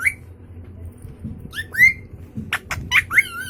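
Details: Indoor pet Indian ringneck parakeet in front of a mirror and phone, giving short rising whistled squawks spaced apart, then a cluster of sharp clicks and two more upslurred notes.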